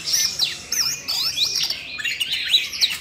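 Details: Siberian rubythroat singing, stirred up by voice-training audio meant for a young bird; continuous bright warble of high whistled slurs, downward sweeps and clicks.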